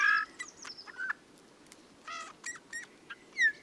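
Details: Eurasian bullfinch song, described as creaking like scraping metal and sung mainly in the breeding season: soft piping whistles around a steady mid pitch, short harsh creaky bursts with buzzy harmonics, and a final falling whistle.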